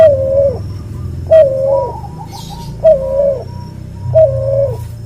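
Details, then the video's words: A cuhu dove, offspring of a white albino puter and a puter pelung, gives four sustained coos at steady pitch about one and a half seconds apart. There is a low rumbling background and a short hiss midway. "MASTERAN BURUNG CUHU HASIL SILANGAN PUTER ALBINO PUTIH VS PUTER PELUNG"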